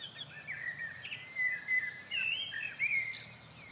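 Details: A migrant Eurasian wryneck on a bush at a farm in the Vosges mountains, France, in spring, sings a run of nasal, ringing notes at steady mid pitch; another wryneck sings nearby and thin high chirps of small birds sound above.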